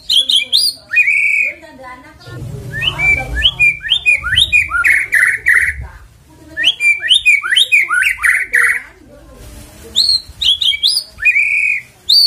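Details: Lure recording of a white-rumped shama to get a bird singing fast: dense, loud bursts of high whistled and chattering phrases, separated by brief pauses, with some low rustling underneath.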